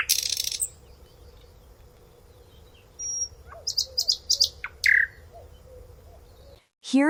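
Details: A common nightingale in a calm forest sings a brief, varied phrase of high whistles, quick chirps and a rising sweep over about two seconds, against a steady low hum.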